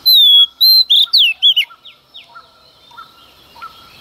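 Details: Female Oriental magpie-robin singing early in the morning to rouse males: long pure whistles then quick falling, twisting notes for about one and a half seconds, followed by faint, widely spaced chirps.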